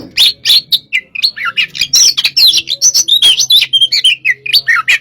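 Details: White-rumped shama of the hot type, kept caged in Indonesia, giving a lively stream of rich whistles and sharp chirps over a faint low hum.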